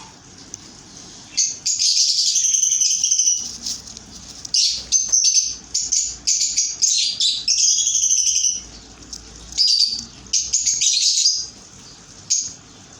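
Budgerigar chicks give rapid, raspy, high-pitched begging chirps in bursts while being fed.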